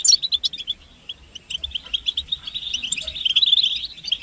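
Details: Goldfinch chatter used to prompt singing: a few separate high chirps at first, then a thickening, continuous run of fast bright twitters that grows louder toward the end.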